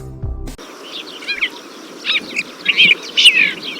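Desert Finch giving short, twittering, slightly nasal calls in irregular bursts, high-pitched and scratchy, after a brief musical note at the start.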